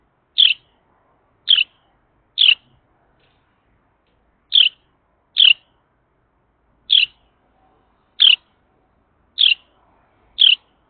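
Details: Carolina wren calling in the early morning: nine sharp, brief chips, loud and clean, spaced about one second apart in loose groups with short pauses, against a near-silent background.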